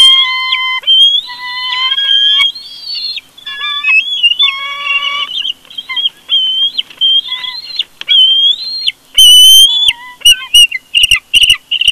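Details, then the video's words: Bald eagles in a family conflict at their nest at Big Bear, picked up by a live nest camera: rapid, high chattering and squealing calls, overlapping and nearly continuous, with steady lower whistled tones in the first seconds. "Family conflict Big Bear Bald Eagle Live Nest Cam"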